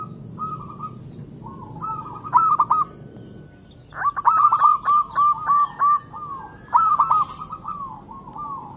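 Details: Local zebra dove song used as a lure to stimulate lazy doves to sing: soft cooing phrases of quick repeated notes, rolling and rhythmic, in three bursts, the middle phrase a longer string of about seven even coos.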